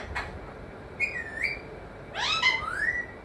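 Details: Parrot kept as a pet and taught to say mithu, mummy, papa. Clear whistled voice with smooth falling-then-rising glides, then a louder harmonic phrase that swoops upward, indoors with a faint hum.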